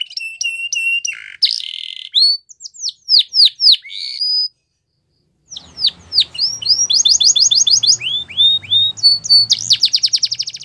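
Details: Belgian canary singing a training song for young canaries, with trills and descending whistles, a short pause, then rapid repeated notes about three per second over a low background rumble.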